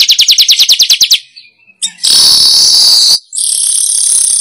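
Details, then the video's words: Weaver lure call meant to attract wild birds: a quick series of bright chirps, a brief gap, then two long, loud, hissing buzzes. "Suara Pikat Burung Manyar"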